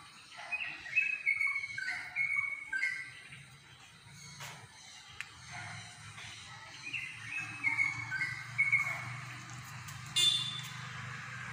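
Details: Unseen bird singing a melodious chirping song: short thin whistled notes and trills in loose bursts, separated by pauses, over a steady low hum and scattered clicks.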